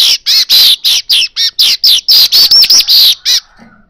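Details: Asian golden weaver, a lure recording for drawing in birds: loud, harsh chattering notes in rapid bursts, about four per second, each a broad buzzy chirp, then fading to quiet at the end.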